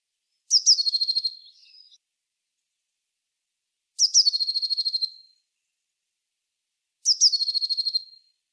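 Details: Song of a Eurasian blue tit, three clear phrases about three seconds apart, each starting with sharp high notes and dropping into a rapid, even trill that fades out.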